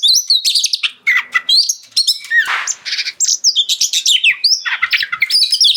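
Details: Kept kacer, the oriental magpie-robin, in ngeplong song meant to get other kacer singing; fast mix of piercing whistles, buzzy scrapes and short trills, densely packed with few pauses.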